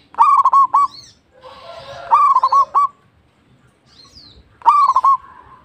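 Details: Local zebra dove repeats its bubbling, staccato cooing phrase three times, each a short string of quick soft notes, with faint chirps behind.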